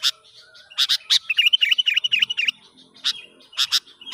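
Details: Sooty-headed bulbul in the wild while a young lure bird is tested, giving a quick series of chattering, slightly descending notes between loud sharp clicks and chips, with faint low background sounds.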